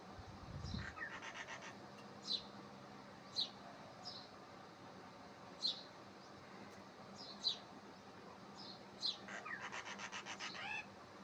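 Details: Unidentified bird, described as having many sweet calls, giving short sharp high chirps at intervals of one to two seconds, with softer rapid chattering at the start and end over a faint, steady background hiss.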